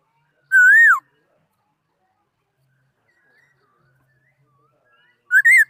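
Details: Laughingthrush song from 2018, two loud, full whistles, each rising then dropping, separated by roughly four seconds of near silence with only faint distant notes.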